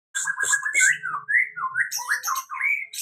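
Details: White-rumped shama after moulting, beginning to sing in full again: a varied run of rich whistled notes, sliding up and down between low and mid pitch, with sharper high accents and short gaps between phrases.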